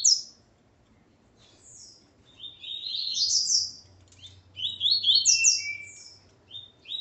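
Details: Double-collared seedeater (coleiro) male alongside his female, singing bursts of high chirpy, slurred notes in quick tumbling phrases separated by short pauses, with a faint low hum underneath.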